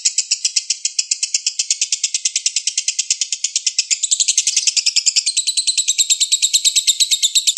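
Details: Lovebird in konslet lure song, pouring out a nonstop run of quick, piercing chirps that shifts to a higher, brighter chatter at about four seconds.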